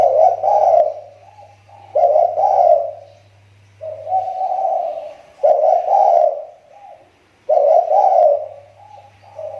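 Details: Spotted dove lure bird from Riau Islands, Indonesia, repeats its throaty coo phrase about every two seconds, five loud bursts each trailing into softer notes, over a low electrical hum.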